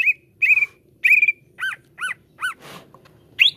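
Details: Greater green leafbird (cucak ijo) song meant to coax caged birds into singing: drawn-out level whistles followed by paired chevron-shaped notes, a short noisy rasp, and a final rising whistle.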